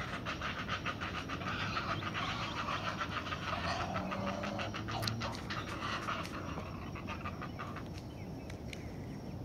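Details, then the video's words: Great blue heron chicks, fairly large, waiting in the nest for their mother to bring food, give fast rhythmic clattering ticks that are strongest early on, then fade into a steady hiss with a few sharp clicks. "Great Blue Heron: Chicks anticipate mom's arrival"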